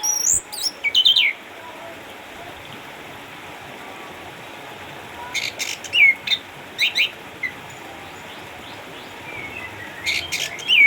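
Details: Eight-year-old caged Orange-headed thrush in Sukabumi, Indonesia, a former champion songbird retired home with cataracts, singing in separate short bursts of very high, sharp, metallic notes spaced by several seconds of quiet hiss.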